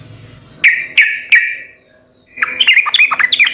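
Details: Sooty-headed bulbul song, used to draw replies from other birds: three sharp chirps about a third of a second apart, a pause, then a rapid bubbly run of warbled notes.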